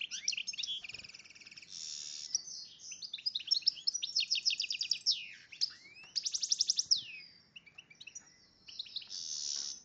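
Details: Hybrid of goldfinch and red agate canary, in breeding condition, sings a loud, varied high song with fast buzzy trills, rapid repeated notes, sweeping slurs and long twittering runs.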